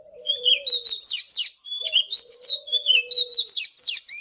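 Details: An Oriental magpie-robin sings in the morning, with varied rising and falling whistles and bright chirps in two phrases, over a low hooting tone in the background.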